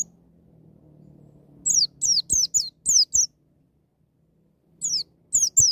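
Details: White-eye "ngalas nembak" song used to get a young bird singing wild style: two bursts of quick, thin, high downslurred whistles separated by silence, with faint low clicks beneath.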